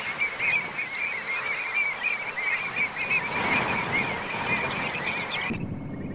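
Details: Nesting pied avocets in the Séné marshes nature reserve, Morbihan, France, 29 April 2024: many short, clear, fluty calls repeated rapidly and overlapping over a steady low rumble, cutting off abruptly near the end.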